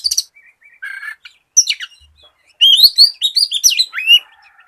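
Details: White-rumped shama singing as a lure for other shamas: scattered high chips and buzzy notes, then a rich burst of fast, varied whistles sliding up and down.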